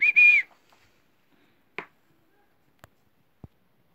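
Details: A pet talking Alexandrine parakeet saying "good night" gives one short, whistly two-part utterance at the start, then falls quiet except for a few faint clicks and taps.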